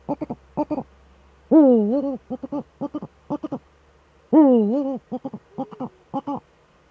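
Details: Two Eurasian eagle-owls together in the nest hollow, filmed by webcam on 6 March 2013; long harmonic wavering wails alternate with quick bursts of short stuttering notes, repeated in groups.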